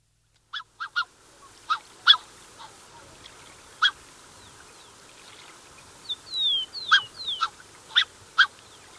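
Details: A Black-necked swan pair with cygnets gives short, soft, honking whistles in uneven bursts, some doubled, recorded close up. A Rufous-collared sparrow's thin, downslurred whistle runs through the middle.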